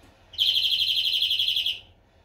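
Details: A single clean greenfinch trill: one and a half seconds of fast, regularly repeated bright notes that fade slightly at the end, in otherwise quiet surroundings.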